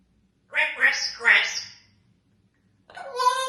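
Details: Congo African grey parrot, a pet, talking: two short speech-like words with rich harmonics, then a pause and a third brighter, word-like utterance, in a quiet room.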